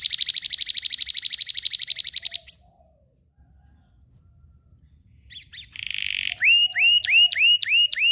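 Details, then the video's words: Canary singing a fast, even trill for two and a half seconds, a silent gap, then a buzzy note and a series of repeated rising whistles about twice a second. "canarias powerful singing bird sound"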